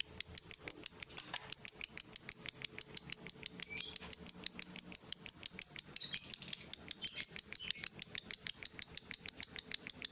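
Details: A female fighter lovebird, whose ngekek is used to provoke rivals, keeps up a steady, very fast string of thin, high notes, roughly three per second and uniform in pitch, for over ten seconds.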